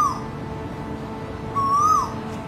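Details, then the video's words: Male Asian koel in Singapore's city, heard as a morning call at the window, gives a clear, fluting whistle that rises gently then drops away, the tail of an earlier note at the start, over a steady low hum. "Asian Koel Male"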